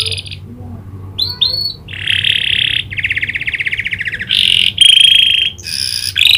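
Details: Canary singing a song with imitated prinia clicking notes: loud high trills, buzzy rattles and sustained whistles in quick, varied phrases, separated by brief pauses.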